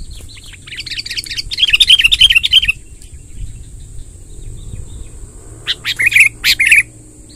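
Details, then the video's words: Wild sooty-headed bulbul in long rolling song, a quick run of bright warbled notes for about two seconds, a pause, then a few loud clipped notes near the end, with constant high hiss behind. "suara tembakan BURUNG KUTILANG NGEROL PANJANG"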